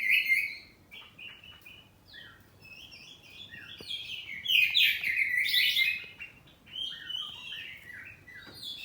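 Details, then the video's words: Home-kept oriental magpie-robin of the poci type singing in ngeplong style, answering back and forth: rich, varied whistled and chattering phrases, rising and falling, with a loud dense burst midway and quieter twittering near the end. "Kacer ngeplong saut2an || kacer poci rumahan || suara kacerpoci"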